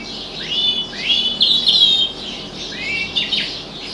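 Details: Pet canary singing indoors by a window while other birds sing outside: clear whistled phrases with upward-sweeping notes and steady trilled tones, loud and varied, with bursts rising and falling across four seconds.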